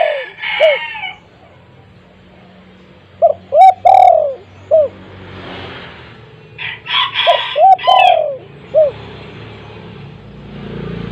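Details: Spotted dove at home calling to draw silent doves into calling: two coo phrases of rising notes, a long falling coo and a short hoot, the second overlapped by a harsh, broad call from another bird.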